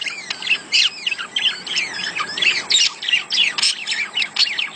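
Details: Budgerigar courtship chatter intended to stimulate a hen to lay eggs: fast, squawky warble of twisting chirps, several per second, in a steady uninterrupted run.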